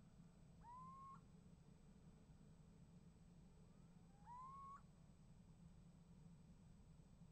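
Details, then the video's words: Little owl calling from a nest box on 28 January 2015, answered by another owl: two loud rising whistled calls about four seconds apart, the second preceded by a faint distant rising note. "Steenuil roept en krijgt antwoord"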